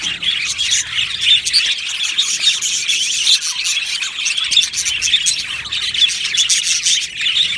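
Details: Group of budgerigars singing in an aviary colony: constant bright twittering and chirping from many birds, with brief louder squeaky notes rising above the dense chatter.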